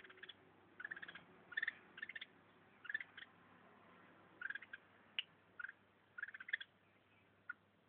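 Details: Red-whiskered bulbul from northern Vietnam, a feisty kept bird biting its owner's thumb: harsh, scratchy grouped bursts of notes, two to four in quick succession, repeated every second or so, with a low steady hum behind.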